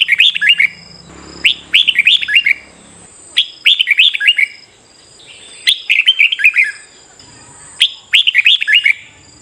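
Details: Red-whiskered bulbul in fighting-song training at morning, crisp descending warbled phrases of several quick notes, each burst about two seconds apart, a steady high whine faintly underneath.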